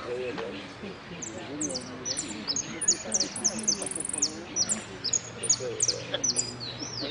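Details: A Saffron Finch sings at a song contest in Merlo on 3 December 2017, placing third in the yellow category. It gives bright, high chirps in quick clipped bursts, several notes a second, over low murmuring voices.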